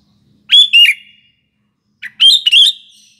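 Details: Sooty-headed bulbul song meant as a lure for morning, afternoon and night: two loud, rich bubbling phrases of slurred whistled notes, separated by about a second of silence.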